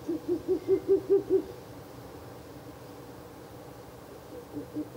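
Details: Ural owl near its nest box at night, 16 April 2024, third night of visiting: seven quick, mellow hoots rising in volume, then near silence, with a new hooting run just beginning at the end.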